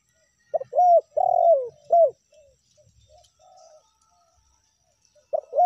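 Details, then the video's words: Spotted dove (tekukur) lure calls in meratus and melambung styles: a loud phrase of hooked and long sliding coos, then faint softer coos, and a new phrase beginning at the close. "PANCINGAN TEKUKUR SUARA MERATUS DAN SUARA MELAMBUNG"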